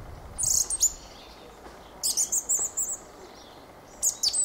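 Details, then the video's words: Fieldfare song of very high, scratchy squeaks: a cluster at the start, a rapid chattering series around the middle, and a final short burst. "Fenyőrigó ( Turdus pilaris ) éneke."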